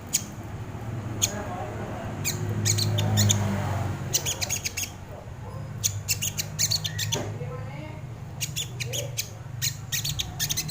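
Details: Sogon bird song used as a lure and training recording: bursts of sharp, dry, clicking notes in rapid runs, with pauses between bursts and a low background hum.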